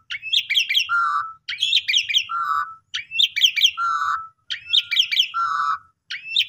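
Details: Asian pied starling song as a lure for quiet or stressed birds: rhythmic phrases of bright chattering notes ending in a low nasal buzz, repeated about every one and a half seconds.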